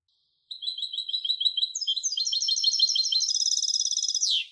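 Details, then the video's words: Song of a European goldfinch hybrid: a sustained four-second rapid twitter that steps up in pitch partway through, grows denser and brighter, then ends in a falling slur. No other noise. "تغريد هجين الحسون Canto De Mixto del Jilguero"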